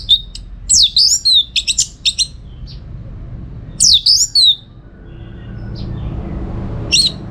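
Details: Orange-headed thrush singing energetically in a training recording for song contests: bursts of high, sharp whistled notes with swift up-and-down sweeps, one cluster near the start and another a few seconds later, then a lone note, against faint room hum.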